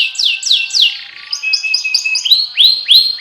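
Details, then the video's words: Canary song with loud downslurred whistles repeated in series, softer chattering notes, then rising hooked notes repeated about three times a second. "Kicau Burung KENARI Terbaik, Irama lagunya SANGAT enak di dengar."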